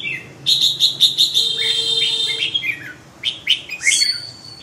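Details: Red-whiskered bulbul song, a loud run of quick liquid whistles and chirps for about two seconds, then a short gap and a second cluster of sharp rising notes; quiet background.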